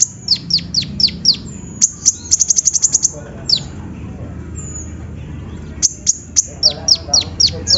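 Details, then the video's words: Sunbird song used as a lure to get quiet birds singing: quick series of very high, down-sweeping notes, a rapid burst of clipped high ticks, then more sweeping notes after a short pause, with faint background hum. "PANCINGAN KONIN SUSAH BUNYI!!"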